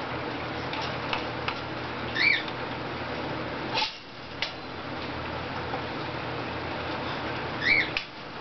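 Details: A pet Little Corella, wet from a misting and in lively form around cage cleaning, gives two brief, squeaky upslurred calls about five seconds apart, over steady background hiss and a few soft clicks.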